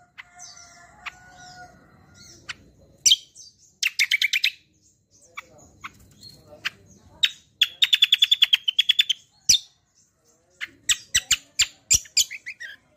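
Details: Kecial kombo song, described as a rolling, energetic tembak style, used to provoke and teach other birds: sharp high notes, a fast even trill of rapid ticks, then a scattered burst of chips over faint background hum.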